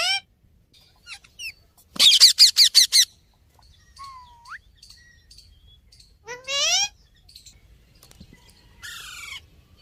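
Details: Natural calls of Australian parrots: a fast run of sharp squawky chirps, then scattered whistles, a rising warbled phrase and a buzzy trailing chirp, separated by quiet gaps.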